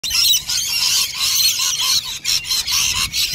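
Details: Flock of rainbow lorikeets feeding on nectar from two dishes at lunchtime: dense continuous high screeching chatter from many birds at once, loud and overlapping with brief dips.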